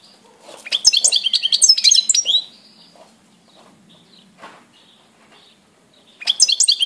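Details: Goldfinch song from 17 April 2018, with a rapid jangling run of high twittered chirps lasting about two seconds. A quiet pause with a faint low hum follows, then another burst of bright twittering begins.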